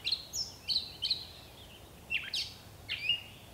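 A Gray Catbird sings a jumble of short, squeaky, varied phrases, some sliding up or down, several each second, over faint background hiss.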